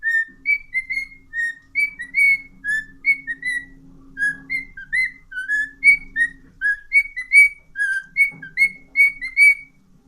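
A cockatiel whistles a lively run of short, clear notes, each swooping up or down.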